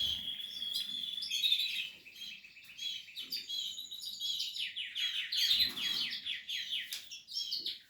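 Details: Portuguese harlequin canary at the nesting stage delivering a long warbling song of chattering phrases and repeated quick trilled notes, high and unbroken, with faint low knocks in the background.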